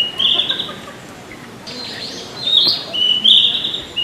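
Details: Narcissus Flycatcher song in Tokyo, Japan, June 2019: clear high whistled phrases in short bursts, some warbled and slurred, separated by brief pauses over soft background noise.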